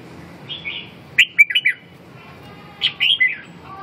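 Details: Red-whiskered bulbul singing short, bright warbled phrases: a soft opening note, then a quick burst of three or four liquid chirps, and another slurred phrase after a pause, over a quiet background hiss.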